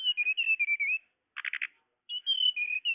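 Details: Blue flycatcher, locally tledekan, played to attract birds: quick wavering whistles, a burst of four buzzy notes, then more high whistled notes in a rapid series.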